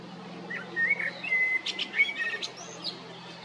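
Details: Male common blackbird singing in spring 2022 in Zagreb, Croatia, at Jarun or Prečko: a short phrase of fluty whistled notes, then a brief burst of higher, scratchy twittering.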